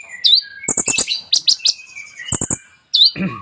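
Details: Sunbird (kolibri ninja) in full song, said to carry rich borrowed phrases, used as a lure recording for other sunbirds: fast, high twittering phrases with sharp chips, short rising whistles and buzzy trills, changing every fraction of a second.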